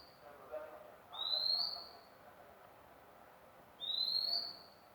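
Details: A magpie-robin repeats a single pure, rising whistle twice, nearly three seconds apart, against a soft murmuring background.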